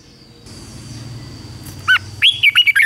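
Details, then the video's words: Red-whiskered bulbul in morning song training: one quick whistled note, a short pause, then a lively run of four rolling, warbled phrases over faint steady hum. "Luyện chào mào hót sáng"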